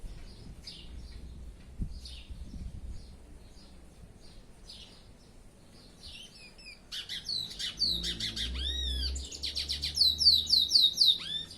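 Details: A pet curió (chestnut-bellied seed finch) sings: soft scattered chirps at first, then from about seven seconds a loud, fast run of high, clear whistled and slurred notes that climb in strength toward the end.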